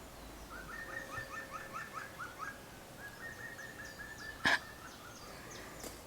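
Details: Wild Eurasian Green Woodpecker calling near an old bottle dump: a rhythmic laughing series of about eight clear ringing notes, then a second run, with a sharp clatter midway and faint rustling.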